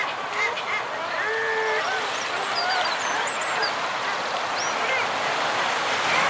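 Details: A group of common guillemots calls from its breeding ledges, with fulmar and kittiwakes also present. Low, drawn-out growls and moans mix with scattered high, squeaky notes over a constant hiss of colony noise.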